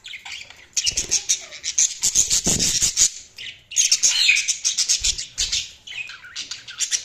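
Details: Budgerigars in continuous rapid chatter, high scratchy warbles and chirps run together in two long bursts separated by a brief pause, with some rubbing or rustling noise.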